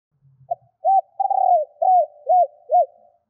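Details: Female spotted dove calling to attract males: a faint low murmur, then a short coo, a long vibrating note and three arched, falling coos in an even rhythm.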